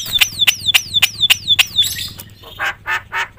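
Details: Javan myna singing loudly with varied phrases to provoke other mynas; six clear descending whistles repeated about every quarter second, followed by harsh rasping notes spaced steadily.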